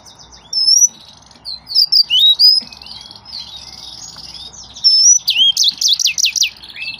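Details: Yellow-fronted canary, also called green singer, giving a fast, varied high song of sweet whistled slurs, rising and falling notes and short buzzy trills in bursts, ending with a rapid rolling run of looping notes.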